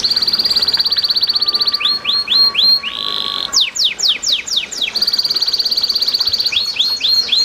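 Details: Lively canary song for coaxing caged canaries into song, with trickling water: a sustained fast trill, a few looping upslurred notes, a bright buzzy roll, steep downward sweeps, then the trill returns.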